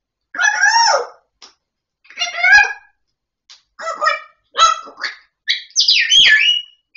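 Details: Talking grey parrot producing voiced, speech-like phrases with rising and falling tonal contours, separated by brief silences and closing with bright, high whistled notes.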